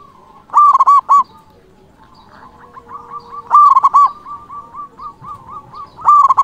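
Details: Local zebra dove song used to stir up rival birds: three loud, mellow phrases of looping coos roughly every two and a half seconds, with gentle, rapidly repeated cooing notes between them in a quiet background.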